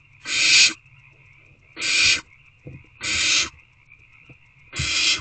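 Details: Owlets waiting for food in nest box C, 3/2/24 at 6:28 pm: four evenly spaced rasping hiss calls, about one every 1.3 seconds, with small knocks and shuffles in the box between calls.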